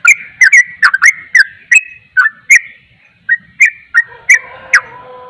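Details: Sooty-headed bulbul giving a rapid song meant to provoke other bulbuls: short, bubbly whistled notes in quick uneven bursts, some sliding up, with brief pauses and a faint lower tone near the end.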